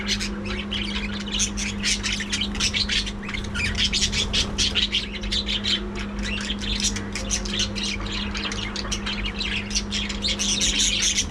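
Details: Budgerigars housed together in a breeding colony aviary: constant busy chirping and warbling from many birds, with a steady electrical hum beneath.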